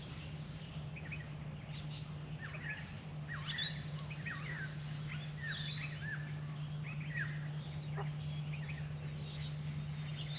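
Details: Female and male Australian magpies drinking from a birdbath produce a run of soft warbled notes, rising and falling slurs strung into a continuous twittering passage, over a constant low drone.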